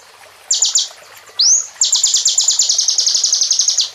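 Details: Plain prinia whose song carries bar-winged prinia phrases gives three quick buzzy notes, one rising whistled swoop, then a long steady trill of high, evenly spaced notes.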